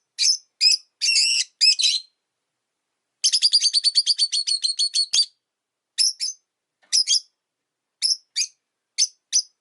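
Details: Caged Rosy-faced lovebirds, five kept by a window in winter, give sharp high chirps in short bursts, then a fast rattling run of about twenty notes, followed by single evenly spaced chirps.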